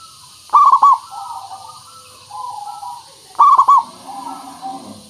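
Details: Zebra dove (perkutut lokal) singing as a lure for other doves: two loud, quick stuttering coo phrases three seconds apart, each followed by quieter coos, with a faint low rough note near the end.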